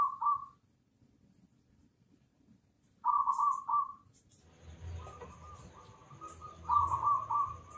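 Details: Loud local zebra dove singing as a lure for other birds; short trilled coo phrases separated by pauses, later overlaid by a steady faint whistle-like tone and soft background hum.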